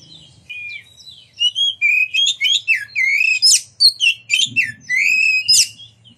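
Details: Oriental magpie-robin song used to stir other magpie-robins to sing and open their tails; continuous flow of varied whistled notes, trills and sharp chips, growing denser midway, with a low hum and a brief low noise.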